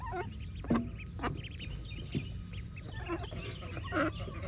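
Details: Young mallard ducklings on a morning swim beside their mother give a few sharp, high peeps and short harsher notes at irregular intervals against a constant low-pitched hum.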